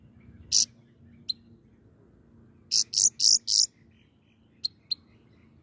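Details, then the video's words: Singing grey-crowned goldfinch: one bright buzzy note, a thin chirp, then four rapid harsh high bursts in a row, followed by scattered tiny ticks. "The singing goldfinch is the best"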